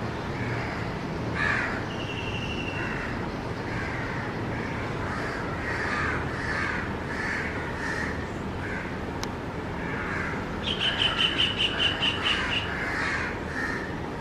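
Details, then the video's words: Baby white-throated kingfisher calling for its mother while another adult kingfisher answers farther off: rough rasping calls repeated through the recording, a drawn-out whistle early on, and a fast series of high, even notes near the end, with steady background hiss. "Baby kingfisher calling"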